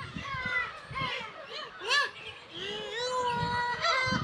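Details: Black-tailed gulls at Kabushima, Hachinohe, Aomori, Japan, a colony of about 30,000 with chicks in June, recorded 10 June 2020 in early summer: a chorus of nasal, cat-like mewing cries, some arcing, others drawn out and level.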